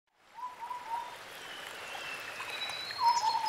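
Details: White-browed scimitar babbler in forest giving a short run of low, hollow whistled notes, repeated near the end, over a steady wash of high chirps and faint whistles from other birds.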